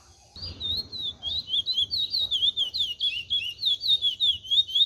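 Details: Chestnut-bellied seed finch, cascatinha style, starting after a brief silence into rapid liquid whistled phrases, each note curling and repeating in a rolling cascade.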